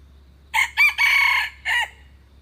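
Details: Red junglefowl giving a single crow of four parts: brief first note, short second, drawn-out harsh third, then an isolated ending note, the whole lasting well under two seconds in otherwise quiet surroundings.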